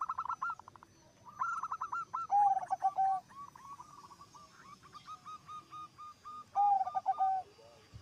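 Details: Actively singing zebra doves, one said to set the others calling, trade stuttering note runs and low rolling coos, two loud coo phrases standing out among steady overlapping notes.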